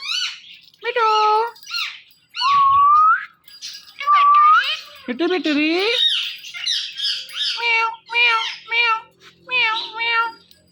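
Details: Hand-tame pet parrot, said to talk and dance joyfully, gives a run of nasal, harmonic meow-like calls, then two long rising whistles and a burst of rapid chattering syllables indoors.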